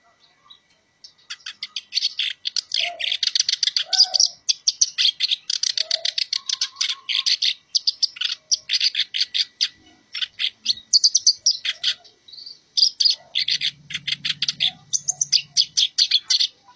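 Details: A black-browed reed warbler sings a fast, harsh chattering song of rapid repeated notes. This is a training recording meant to make other birds answer.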